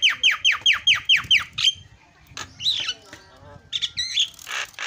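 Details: Javan myna lure sound meant to make other mynas call: about seven quick ringing down-slurred notes, then harsh grating squawks and buzzy warbles.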